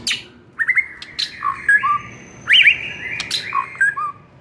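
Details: ['White-rumped shama training song: an assortment of rising and falling whistles, chips and short warbles delivered in irregular bursts, meant to make another shama answer aggressively.']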